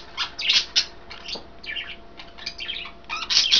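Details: Pet budgerigars eating kale in a cage, three birds in green, blue and white; a few sharp squawky chirps open, softer scattered chatter follows, and louder chirps close.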